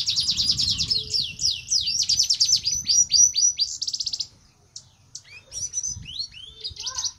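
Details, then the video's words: A red siskin in breeding condition sings a fast, high twittering song of buzzy trills and rattles for four seconds, pauses, then adds thin sweeping notes. "Red siskin gacor ngerek birahi"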